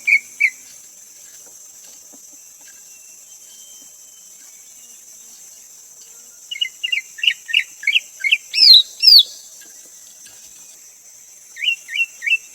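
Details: Greater green leafbird: two brief whistles, a long quiet spell with only a steady high insect drone, then a lively burst of rapid chirped whistles that climbs to higher notes, followed by three more quick whistles.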